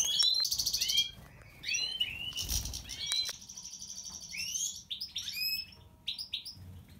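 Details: Song of a European goldfinch, Major white-throated form: a rapid, liquid run of twittered and buzzy high notes in quick bursts, with brief pauses and short upward-sweeping chirps throughout.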